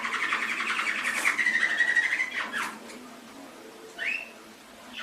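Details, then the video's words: Canary song in an Indonesian masteran training recording: a rapid rattling trill merging into a long level whistle, a quick descending slur, then silence broken by one rising chirp. "Masteran Suara Burung Kenari 25"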